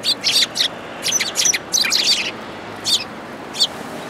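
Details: Several Eurasian tree sparrows coming to be fed at a Tenmangu shrine on 19 January 2022 give bursts of sharp, high chirps in quick clusters, with short pauses between volleys over a low background hiss.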